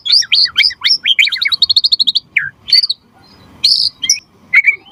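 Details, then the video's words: White-rumped shama song used to trigger other murai batu to sing: a rapid string of short high chirps, then separate loud whistled notes, some sliding down, with soft pauses between. "Suara Murai Batu Gacor Biar cepat BUNYI Auto NYAUT buat Pancingan & Masteran Burung Murai"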